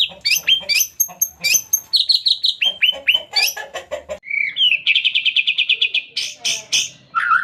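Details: White-rumped shama singing on a lure recording for shamas: a varied medley of high whistles, slurs and sharp chips, then a rapid trilled run of high notes and a lower closing whistle.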